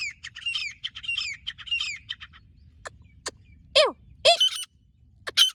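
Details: Two female grey francolins (madi teetar, gora teetar) calling, kept as calling birds for hunting; rapid series of shrill squeaky notes in short repeated phrases, then loud harsh calls with steep falling sweeps, little background noise.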